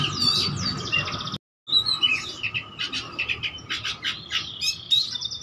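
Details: Oriental magpie-robin singing vigorously to rouse other magpie-robins: clear whistled slurs and rapid chattering notes, a brief silent gap, then staccato chirp bursts and a high whistle, with a steady hum.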